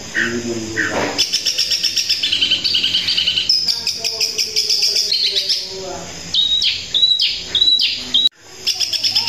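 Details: Gacor long-tailed shrike in the 'tembakan kuntilanak' style: a long, varied, high-pitched rattling chatter, then a run of sharp, bright whistled notes, each dropping quickly, before a brief gap and more chatter.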